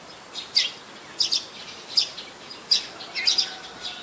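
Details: On 4 February 2020 in Ubon Ratchathani, Thailand, a Streak-eared Bulbul utters abrupt high chirps, some in doubled bursts, spread irregularly across four seconds with soft hiss behind.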